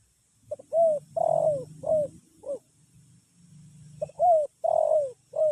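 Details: A spotted dove gives its calling coos in the slow, drowsy style known locally as sleepy: soft mellow notes, a long falling middle coo, phrases repeated after a pause, over low background hum.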